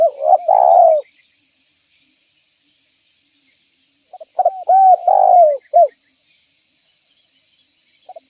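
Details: Spotted dove in full voice, its call used as bait for catching other doves: a full coo phrase at the start and another about four seconds later, each made of quick clipped notes and a long coo that slides down.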